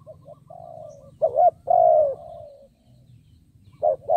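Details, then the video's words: Spotted dove kept as a decoy to lure wild doves; soft low coos, then two louder drawn-out descending notes, with a steady low background hum. "Cu Gáy Mồi Cây 5tr THÚC GÙ KÈM BỔI | Cu Gáy Kích Bổi Nhanh Nổi"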